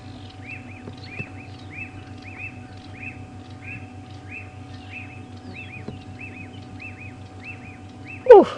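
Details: Black-backed puffbacks at Djuma Game Reserve, South Africa, on an afternoon drive on 6 September 2015 after rain, noisily giving a rapid run of short, arched chipping notes with sharp snapping clicks.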